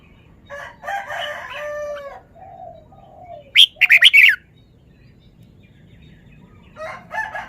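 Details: Red-whiskered bulbul showing off its song phrases: short warbled phrases with harmonic notes, then a burst of bright, sharp notes around four seconds, with faint chirps near the end.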